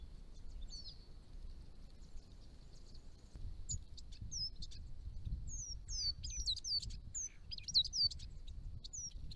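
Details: Chestnut-rumped Thornbill at garden ponds on the very edge of its range: thin, high chirps sliding downward, given in quick irregular runs that grow busier toward the end, over a low rural rumble.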